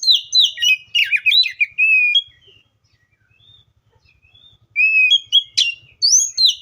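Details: Oriental magpie-robin sings a busy two-second stretch of tumbling whistles. Near silence with a few soft notes follows, then a second lively phrase of bright, rising and falling whistles.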